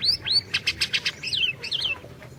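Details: Energetic Orange-bellied leafbird song used as a lure for a leafbird that has stopped singing. Two arching whistles, then a fast run of five buzzy pulses, ending in warbled swooping phrases.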